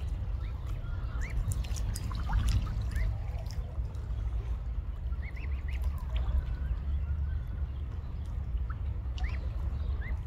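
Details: Mute swan cygnets out with their family on a sunny day give thin, high, rising peeps, scattered singly and in little runs, over steady low water rumble.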